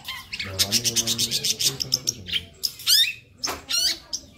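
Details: Harsh, buzzy long-tailed shrike chatter with lively fill-ins: a fast rattle of scratchy notes, then rasping sweeping calls and a grating buzz, with a faint low hum underneath.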